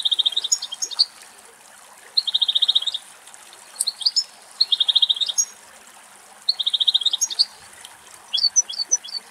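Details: Adult male European goldfinches, a pair in a Greek forest, cooling off with a drink and bath in summer heat; a fast, even trill recurs about every two seconds, each followed by sharp high twitters.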